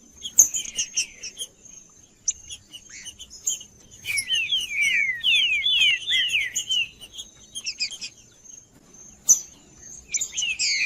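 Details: Trinca-ferro singing in 'macheando' style to warm up other birds: scattered high chips, then a fast series of about ten repeated downslurred whistles, followed by sparse high notes and a final burst of twitters.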